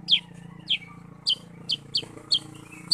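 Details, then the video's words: Lively sooty-headed bulbul (kutilang sutra): crisp, high, falling chirp notes, often paired, repeated at irregular short intervals against a low steady hum. "kutilang sutra super gacor"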